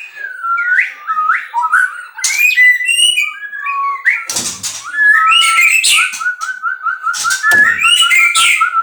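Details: Captive-bred white-rumped shama singing varied whistled phrases, then a fast string of identical short notes, about four each second, interwoven with rasping accents.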